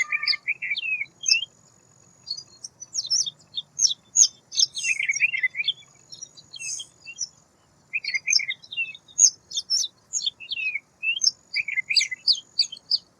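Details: White wagtail calling in a lively series of high, quick chirps and twitters, grouped in dense bursts with brief gaps; a faint low hum in the background.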